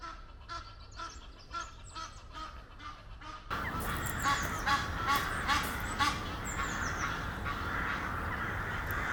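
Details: A pair of Egyptian geese up a tree near Henley-on-Thames, courting and mating, give harsh, repeated honking and husky calls, about two or three a second, over steady background noise and faint small-bird chirps.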